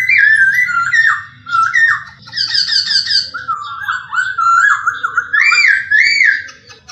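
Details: Masked laughingthrush (poksay hongkong) song, used for training caged songbirds: loud, continuous run of rich whistled phrases sliding up and down, with quick warbled notes and a faint low hum underneath.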